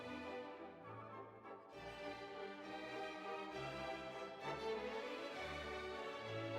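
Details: Orchestral string music with bowed violins and cello swells throughout, with no animal voices.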